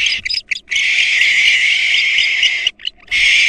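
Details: At a barn owl nest after a female intruder attacked the young: a few stuttering rasps lead into one long, steady, harsh hissing screech, ending with a brief break and another screech.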